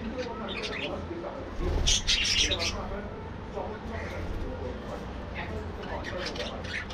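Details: Budgerigar colony in an aviary, many birds calling at once: a loud burst of harsh chirps near two seconds, then softer twittering and scattered squeaks over a constant low drone.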